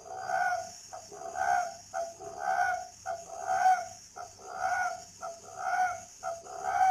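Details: Caged spotted dove at a dove-breeding garden in Ba Vì district, Hanoi, northern Vietnam, cooing in mellow, hollow phrases repeated about once a second, each a short lead note and a longer rolling coo; a steady high hiss behind.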